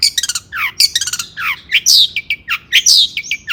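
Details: Long-tailed shrike in agitated provoking song: rapid stuttering chips, swooping downslurred whistles and grating squawks mixed in a lively high-pitched medley.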